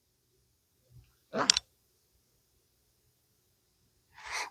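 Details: Near silence broken by a few short clicks and handling knocks, with no animal calls.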